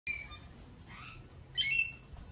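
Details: Lorikeets at a lorikeet cafe give two short, sharp chirping calls, one at the start and a brighter rising one after a pause, over a steady thin high-pitched whine.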